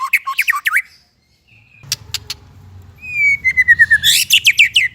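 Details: White-rumped shama singing, recorded to train young shamas and revive silent ones: rising chirps, a short whistle, dry clicks over faint low rumble, then a long falling whistle and a burst of rapid high notes.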